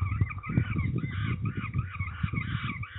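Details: Peregrine falcon calls during ringing at Trzebież, Poland, in May 2019. Loud, scratchy calls run together almost without pause over heavy low-pitched handling noise.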